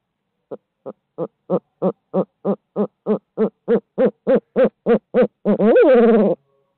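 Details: A barred owl in midtown Tulsa gives about sixteen clipped, rising hoots that speed up over five seconds, then ends in a drawn-out, wavering, falling hoo-aw. No other sounds.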